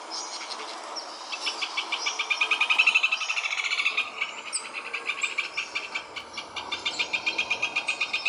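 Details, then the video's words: Rufous hornero song: a loud series of sharp repeated notes quickening into a rolling trill, then fading, with further bursts of rapid notes following. "João -de-barro Cantando"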